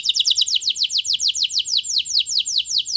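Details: A canary in full song, played to coax a quiet canary into singing, delivers a fast, even trill of sharp downward-sweeping chirps, about seven per second, high and bright throughout.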